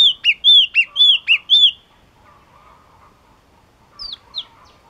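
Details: Ringing song of the Yellow-cheeked tit: about six quick repeats of a whistled note joined to a sharp higher pair, lasting under two seconds, then quiet with two brief thin calls later.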